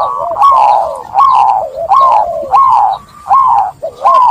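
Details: Zebra dove cooing, used as therapy for trap-stressed doves that stopped singing: an almost unbroken chain of rising-and-falling melodious coos with crisp clicking accents, a faint hum behind.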